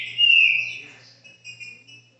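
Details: Captive green-winged saltator at a Brazilian home giving one strong whistled note that fades out, followed by softer, shorter whistles, over a faint steady low hum.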